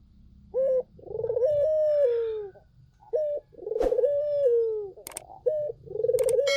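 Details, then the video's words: Barbary dove in full voice, used as a lure to draw other doves into answering: a short clipped note, then a rolling pulsed coo sliding into a long mellow falling tone, repeated, with sharp clicks near the end. "SUARA BURUNG PUTER GACOR! 100% pancingan ampuh,puter kamu pasti katut"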